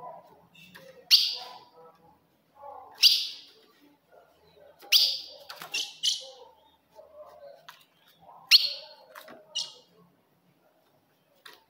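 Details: Ultramarine grosbeak female call for stirring up a male: loud, sharp, downward-sliding chips spaced about two seconds apart, some doubled, with faint soft sounds between.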